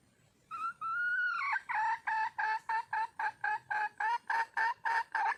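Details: Wild hen red junglefowl calling to attract a male opens with a long, clear, slightly rising drawn-out note, then breaks into a rapid string of short, harsh clucks repeated about three times a second.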